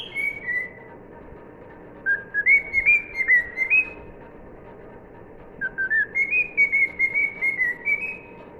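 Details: Cockatiel (Nymphicus hollandicus), learned whistled tune.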